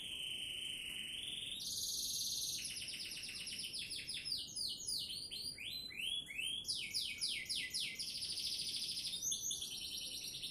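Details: Indonesian canary from Sidoarjo in full song: a long high whistle opens, then fast rolling trills and sweeping notes repeated many times a second, with changing tempo and pitch.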